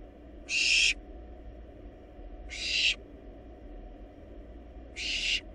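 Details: Wild barn owl chicks in a research nest box tearing into a large rabbit; three strong, breathy hissing bursts roughly every two seconds, the middle one swelling louder toward its end, over a low hum.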